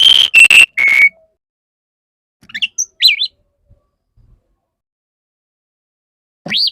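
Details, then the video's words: Male Oriental magpie-robin courting a female: loud steady whistled notes stepping down, then softer twisting warbled phrases, a pause, and a final rising wavering whistle. "Pancingan burung kacer jantan perayu burung kacer betina gelis"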